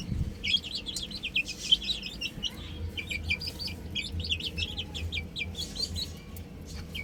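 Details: A group of chicks playing on a roof utters bright, high chirps in fast overlapping runs, thinning toward the end, with a faint low hum behind.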